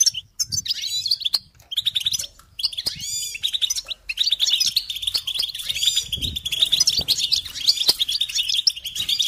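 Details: Long continuous goldfinch twittering, with fast jangling trills and chirps that run almost without pause, broken by a few short gaps and sharp clicks, with some metallic rising flourishes.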